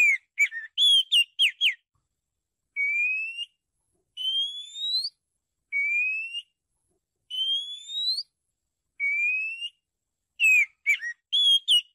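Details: Oriental magpie-robin, a recording meant for luring birds, sings clear, rising whistled phrases about every one and a half seconds, framed by bursts of quick, varied chirps; no other sounds.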